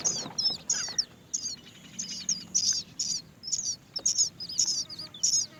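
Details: Many Great myna nestlings await food from their mother, calling in high, twisting squeaky chirps in uneven bursts, with faint low rumble beneath.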